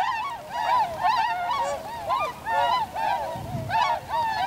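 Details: Tundra swans (Cygnus columbianus), a winter flock filmed on 7 February 2015 gathering, landing and flying off in V formation, recorded on a compact camera with external microphone; many overlapping nasal, honking calls with rising-falling bends, nearly continuous.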